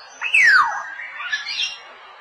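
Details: Black-naped oriole feeding its chicks: one loud, harsh, nasal squawk slurring steeply downward, then softer wavering nasal notes that rise and fall for about a second before fading.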